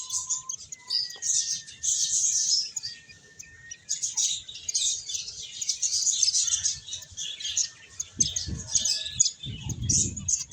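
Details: Playing, eating finches give a steady wash of high, squeaky chirps, with a few thin drawn-out whistles, and low bumping noises toward the end.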